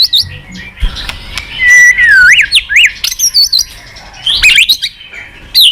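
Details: White-rumped shama song played as a lure to set off a quiet bird: loud, varied whistled phrases with quick zigzag up-and-down notes, sharp high flourishes and brief pauses, rich and melodic throughout.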